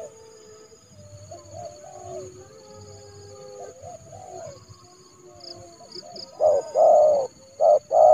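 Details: Spotted dove used as a trained decoy to lure a rival into a yard trap in January; soft, distant coos for several seconds, then loud, close, clipped coo notes near the end, with faint high chirps.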